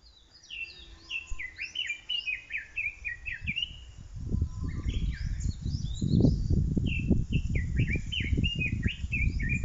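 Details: Blue-and-white flycatcher singing unseen near white-flowering Japanese ash and bird cherry trees: clear whistled phrases that slur up and down, repeated in quick succession, with other bird chirps and strong low rumbling wind or handling noise in the second half.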